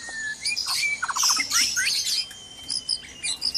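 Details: White-rumped shamas in a breeding cage at dawn, noisy: bursts of squawks and short whistled notes, including a quick run of repeated clicks, with thin high whistles overlapping.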